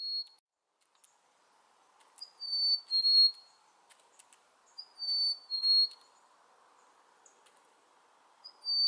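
A Black-capped chickadee gives its clear two-note whistle, a high note then a slightly lower one, about every three seconds over a soft background hum.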